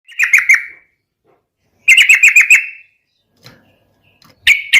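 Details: Yellow-vented bulbul in vigorous 'garuda' style song, used as a lure to set other bulbuls singing: two short bursts of bubbly, slurred notes, then a third burst cut off at the end, with silence between.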